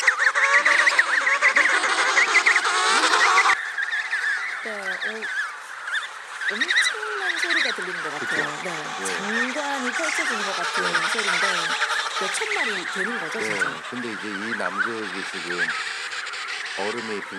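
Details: Emperor penguins (Aptenodytes forsteri) in an Antarctic colony, recorded on site by a polar research institute, give many overlapping harmonic, warbling trumpet calls over a steady windy hiss.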